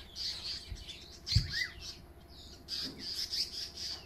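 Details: African paradise flycatchers harass a hornbill near their nest with chicks at Onverwags Caravan Park, scolding with harsh, buzzy, high-pitched calls in rapid bursts with a brief descending note between; a few low thumps.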